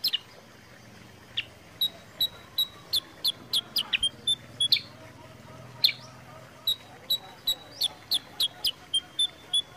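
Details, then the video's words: Sooty-headed bulbul sound played to encourage birds to sing: bright, clipped high chirps, some sliding downward, spaced roughly every half second in a steady series, with a short pause midway before the rhythm resumes. "pancingan suara kutilang sutra gacor jernih"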